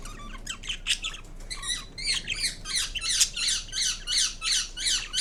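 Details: Green Indian ringneck parrot kept indoors giving a long run of rhythmic harsh squawks, about three per second, growing louder and more regular over five seconds.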